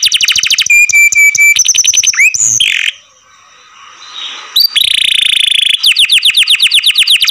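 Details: Canary kept in care, singing loudly: fast repeated trills of descending sweeps, a steady whistled tone, a buzzy churring phrase, a short pause, then rapid sweeping trills again.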